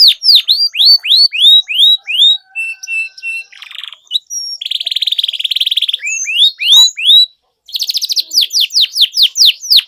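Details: A canary singing vigorously as a lure for quiet canaries delivers varied tours: repeated falling whistles, short level piping notes, dense buzzy rolls, then further runs of sweeping notes after a short gap.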